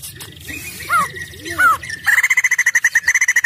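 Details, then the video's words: White-crested laughingthrush song used as a lure to provoke other birds into singing; a few bubbly, down-slurred warbles, then a fast run of bright, evenly spaced chattering notes repeated many times a second. "Pancing Poksay jambul cepat gacor"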